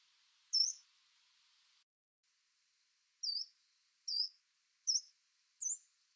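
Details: Coal tit calls, mostly short squeaks: brief high chevron-shaped squeaks, one early then four in quick irregular succession near the end, with silence between.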